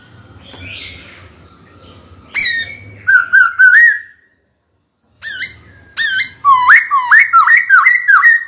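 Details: Caged black-throated laughingthrush in a fighting-song session against a rival: soft rustling and a squawk, then sharp whistled upslurs, a silent gap, and a rapid series of loud rising whistles repeated about twice a second.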